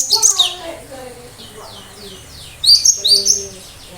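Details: Cinereous tit in full song with sharp 'tembakan' shots meant to make other birds respond: bright high chirps open and close the phrase, with lower drawn-out whistles from another source between them.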